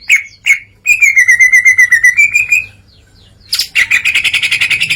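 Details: Greater green leafbird in open song, unloading learned material: two sharp notes, a long rapid run of clear whistled notes, a short silence, then a fast buzzy trill.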